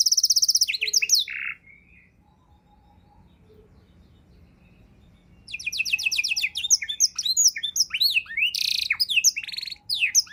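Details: Canary tutor song with varied content used for training songbirds. A high buzzy trill ends in a rolled note, a long quiet gap follows, then a dense burst of rapid trills, sweeping whistles and harsh rasps resumes.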